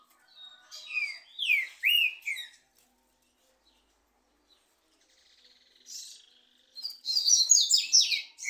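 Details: During a song duel between two trinca-ferro, or green-winged saltators, rising and falling whistled phrases come in quick succession, then a few seconds of near silence, then an energetic cluster of sharp, high slurred notes.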